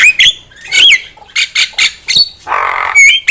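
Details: Javan myna song used as a trapping lure: harsh squawks and clicks, a wavering whistled note, then a broad rasping burst and a brief clear whistle.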